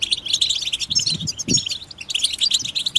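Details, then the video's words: Chorus of European goldfinches, group song intended to help goldfinches resume singing after moult; busy, overlapping high twitters and liquid trills, with faint low thumps and background hiss. "بتبتة جماعية تساعد الحسون على التغريد والخروج من مرحلة غيار الريش"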